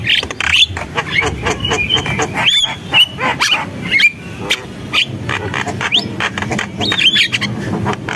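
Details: Javan myna in lively gacor singing: a dense run of harsh clicks, rasping bursts and short whistled upslurs near the top, with a constant low rumble underneath.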